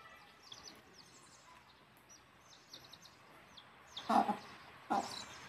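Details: High, scattered peeps from chicks as a mother hen takes them back to the nest to roost, then two loud, gravelly clucks from the hen close together near the end.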